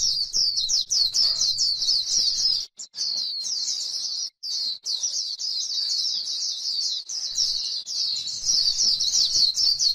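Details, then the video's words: White-eye on grassland delivering the 'líu' song style: a long, dense run of thin, high twittering and slurred chirps, almost unbroken, over faint low background noise. "KÍCH KHUYÊN LÍU CHUẨN chim khuyên trên đồng cỏ white eye bird"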